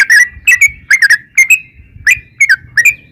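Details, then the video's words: Yellow-vented bulbul uttering short, liquid, slurred double notes in spaced bursts, bright and whistled, with slight low background rumble. "trucukan gacor ROPEL PANJANG buat pancingan trucukan agar bunyi"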